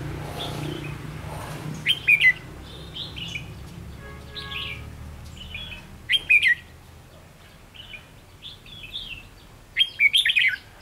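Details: Recorded 7/11/2016, a red-whiskered bulbul decoy for trapping gives short sharp warbled bursts every few seconds, with fainter bird notes between them and a brief low hum in the background.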